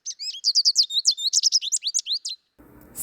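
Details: American goldfinch (Spinus tristis), a spring migrant in southeast Saskatchewan and southwest Manitoba, April–May, gives a quick run of about a dozen high, sweet twittering call notes in two seconds, then a short low rumble.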